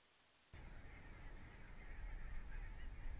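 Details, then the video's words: Wintering barnacle geese of the Svalbard breeding population at Mersehead RSPB Reserve, Dumfries and Galloway, in November 2011: after a half-second hush, a dense chorus of yapping, overlapping calls rises from a large flock over low rumble. "Barnacle Geese - Branta leucopsis"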